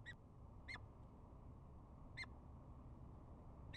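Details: Peregrine falcon chupping during courtship bowing in spring: four short, sharp, clipped notes spaced irregularly about a second apart over a steady low rumble of background noise.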